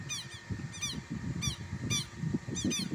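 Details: Southern lapwing on a Brazilian rural property giving a few harsh scraping notes, some doubled, spaced irregularly over heavy low rustling and handling noise.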